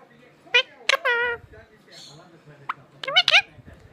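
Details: Pet parrot in India reacting to another parrot's talking: short nasal, harmonic speech-like utterances and a drawn-out vocal note, then a few quick squawky syllables near the end.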